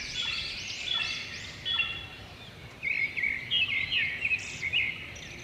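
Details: Birds chirping in the morning at the Dandeli Timber Depot near the Kali River, Karnataka, in early November: many overlapping high, rapid, squeaky arched notes from several birds, with a steady background hiss.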